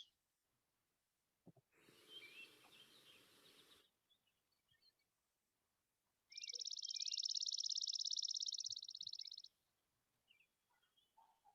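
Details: Chipping sparrow's mechanical trill, heard in dry, open conifer woodlands of Montana: a steady, very fast, high, dry run of identical notes lasting about three seconds, after a brief burst of rushing noise.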